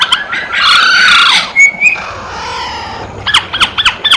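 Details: Masked laughingthrush singing actively. A harsh, hoarse squawking phrase gives way to a short level whistle, then a steady series of quick, sharp forked notes at the end.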